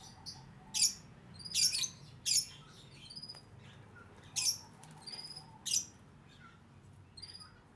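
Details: Captive plaintive cuckoo kept and fed crickets, giving short, harsh, high squeaky bursts in irregular runs, several close together and then spaced pauses, over a quiet room hum.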